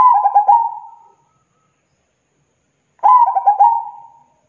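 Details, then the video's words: Zebra dove singing long and lively, repeating the same phrase about every three seconds: a quick stutter of cooing notes followed by a level, sustained tone, with silence between phrases. "SUARA PERKUTUT GACOR PANJANG"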